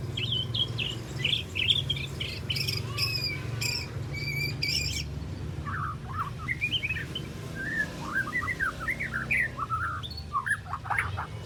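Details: Young spotted white-rumped shama, three months old, learning its song: clusters of bright chirped notes, then lower, varied warbled phrases, heard against a steady hiss and low hum.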